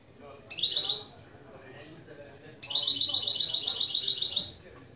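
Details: A goldfinch-canary mule sings its song's opening phrases as a lesson: a short bright trill, then a longer run of rapid, ringing high notes, over a faint low background murmur.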